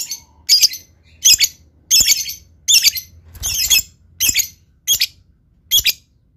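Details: Lovebird giving harsh, buzzy squawks in short double bursts, repeated a little over once a second against a faint low hum.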